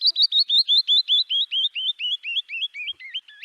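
A Canyon Wren's song: a rapid cascade of about fifteen clear, sweet whistled notes that steadily drop in pitch and slow slightly toward the end.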